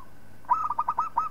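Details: A local zebra dove, used as master song for training other birds, gives a fast series of rounded cooing notes, about seven in under a second, the phrases slightly burry and ending on a held note.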